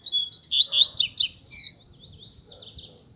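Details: Double-collared Seedeater (coleiro) singing in the bush during a luring session after another coleiro appeared: a fast, loud run of sharp, slurred whistled notes sweeping down and up, then a softer, thinner phrase trailing off.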